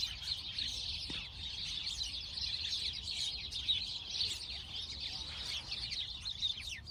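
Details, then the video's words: Cute little sparrows in a constant chirping chorus, thin rapid tweets layered densely and evenly, with one brief low knock near the first second. "Relaxing sparrow sound | relaxing bird sound | birds chirping sound"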